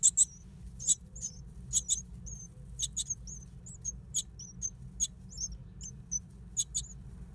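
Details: Great tit nesting in an old stove: thin, very high notes, short and repeated irregularly, some in quick pairs, with soft clicks, over a low steady rumble.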